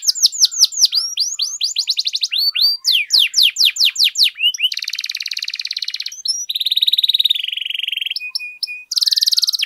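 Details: Lively canary singing meant to stir other canaries to sing: series of quick descending whistled notes, then sweeping slurs, followed by long buzzy trills and sustained high rolling notes, with steady tone changes throughout.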